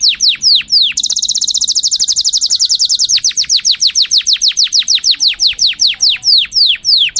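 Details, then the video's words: Canary singing to instruct young birds and prepare females for breeding: falling whistled sweeps, a two-second rapid high trill, then a steady run of descending whistles about three per second. "تغريد كناري مذهل لتعليم الفراخ الصغيرة"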